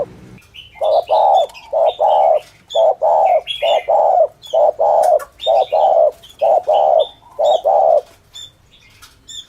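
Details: Spotted dove calling in thổ thúc gù style for luring doves: a steady run of low, hollow paired coos, short-long, about one per second, with scattered high chirps of small birds over it.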